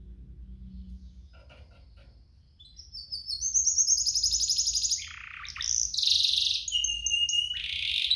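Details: Two canaries, a recording used to set off singing in other canaries and train young ones: near quiet start with a low hum, then loud high song of buzzy trills, sustained rattles and short swept whistles from about three seconds on.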